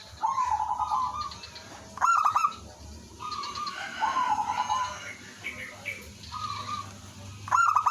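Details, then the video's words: Village zebra doves (local perkutut) singing actively, one used as a lure bird that sets others answering: mid-pitched rolling cooing trills, some loud and close, others fainter replies, each opened by rapid staccato clicks, phrases every second or two. "suara merbok kampung/perkutut lokal gacor manggung jadi pikat pancingan semua jadi nyaut"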